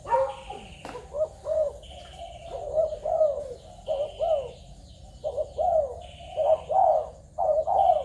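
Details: Spotted doves from Malaysia, Thailand and Cambodia, recorded 21 November 2022: several overlapping low, hoarse two- and three-part coos, each note swelling then falling, about one a second, with thin high chirps of other birds between them.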